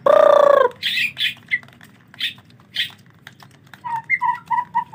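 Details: Rainy season, bathing troubles for a white-rumped shama: a loud harsh drawn-out squawk opens, followed by bursts of high buzzy notes and a quick series of paired whistled notes repeated several times a second.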